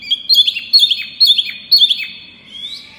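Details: Pygmy cupwing, a small bird with a loud clear voice, repeats a quick double whistled phrase with a downward flick four times about every half second, then gives a soft rising note.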